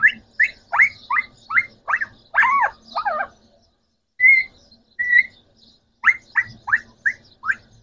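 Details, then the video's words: Green Pakistani talking parrots, three rose-ringed parakeets kept at home, repeat quick sharp upslurred chirps in a steady series, with brief whistled notes during a short lull. "Amazing 3 Parrots Talking | Green Pakistani Talking Parrots"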